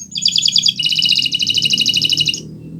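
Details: Canary (Kenari Nusantara) tutor song for training other birds: a brief high rolling trill of rapid doubled notes lasting about two seconds, over a faint low hum.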